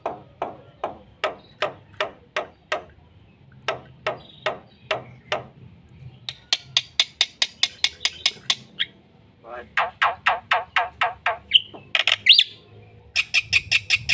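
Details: Black-winged myna delivering full-fill song for coaxing silent birds: long series of regular harsh chuck notes, then rapid rattling trains of bright rasping calls with a short whistle.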